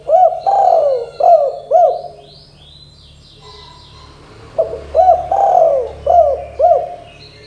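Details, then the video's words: Repeated 'kuk 2' coo phrases from a spotted dove, played to make young doves call quickly. Two mellow low phrases of hooked notes around a longer throaty coo come about three seconds apart, over faint high bird chirps and a low rumble. "Suara Tekukur Derkuku KUK 2 GACOR DOR Bikin burung Tekukur BAHAN MUDA BAKALAN CEPAT GACOR"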